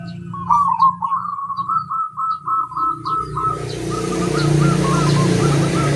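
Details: Local zebra dove singing a crossing-style song, used to prompt other doves to sing: a rapid string of short, staccato cooing notes, evenly repeated for about three seconds, followed by faint broken notes under rising background hiss and a low hum.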